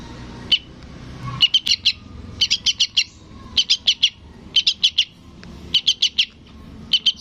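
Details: A lone high chirp opens, then a sooty-headed bulbul chick repeats bursts of three or four shrill notes about once a second, calling for its parent.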